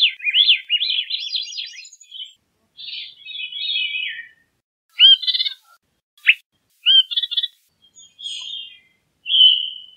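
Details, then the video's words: A Veery (Catharus fuscescens) sings a breezy, spiralling song of fluty, downward-rolling notes, followed by shorter slurred whistles and chips, possibly from other birds, in quiet surroundings. "Veery Bird Song, Sound, Call, Chirp, Melody - Zorzalito Rojizo Canto"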